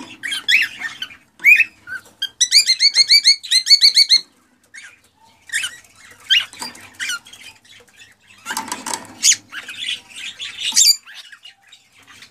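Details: Excited male cockatiel song meant to stimulate a female to mate: mixed chirps and squeaky whistles, including a fast run of about eight evenly repeated clear notes, then scattered harsher chirps.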